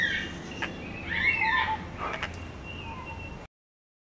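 Dollarbird giving a short run of harsh, rasping chattering notes, with a thin high tone near the end over steady background hiss.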